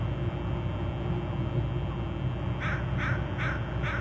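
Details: Eagle at its Hornby Island nest, recorded by a nest camera: after a stretch of low rumbling noise, four short, sharp notes come in quick succession near the end.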